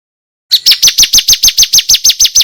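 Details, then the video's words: Bar-winged prinia, 'kristal' type, loud and clear recording for tutoring competition songbirds: following silence, a rapid, even string of high, falling chip notes continuing to the end. "Suara MASTERAN Ciblek kristal TERBAIK buat isian burung kicau lomba"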